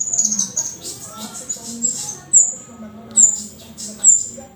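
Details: High, piercing whistles from a bar-winged prinia, starting with a dense shrill phrase, then sharp descending notes repeated roughly every second, lively singing style.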